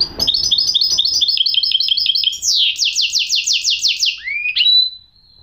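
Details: Goldfinch hybrid song opening with a steady string of quick chattering notes, moving into repeated descending buzzy sweeps and ending with an upward whistle and a drawn-out pure tone.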